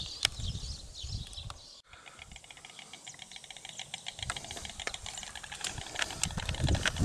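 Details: White stork bill-clattering: a dry, wooden rattle of sharp clicks, sparse at first, then denser and louder toward the end, over a low rumbling background.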